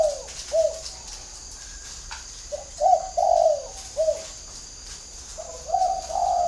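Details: Spotted dove used as a decoy, noted for its whistle-like voice, calling a series of mellow, hooting coos, some single and some joined into longer phrases, loud and close.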